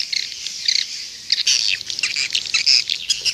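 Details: Swiftlet lure sound from Indonesia, played outside a nest house to draw in edible-nest swiftlets: a busy overlapping mass of high chirps and short buzzy twitters, with brief bright squeaks.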